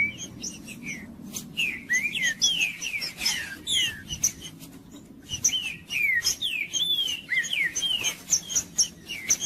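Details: Green-winged saltator singing to warm up another bird, a series of clear whistled downslurred and rising phrases repeated in quick succession, with thin high chirps and a steady background hiss.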